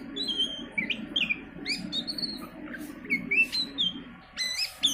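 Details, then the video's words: Oriental magpie-robin singing, used to prompt caged birds to sing: rapid varied whistled phrases, sliding notes and sharp ticks, with a soft low murmur underneath. "pancingan Kacer, dijamin burung ikutan gacor"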